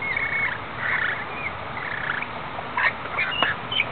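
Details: Rainbow lorikeets, wild, in rain on Australia's Gold Coast: short grating squawks and thin screeches, sparser toward the end, with a constant rain hiss and occasional sharp drop-like clicks.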